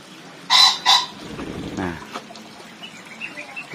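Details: Agitated black-winged myna in an aviary in Indonesia where a pair is building a nest; two loud, harsh, raspy bursts in quick succession, then a man speaking and faint chirps in the background.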